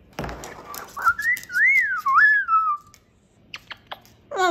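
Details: Pet cockatoo indoors giving a bright whistled phrase of looping rising and falling tones over about two seconds, preceded by clicks and followed by faint taps and a short squeak.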